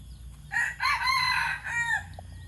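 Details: White decoy red junglefowl crowing loudly: a raspy opening note, then a long, harmonic-rich middle section and a falling final syllable, all within about one and a half seconds, over a soft low hum.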